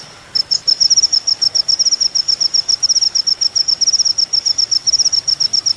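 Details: Rapid, evenly spaced high ticking notes from an Olive-backed Sunbird (kolibri ninja), recorded for training other songbirds, running without pause after a brief silent start.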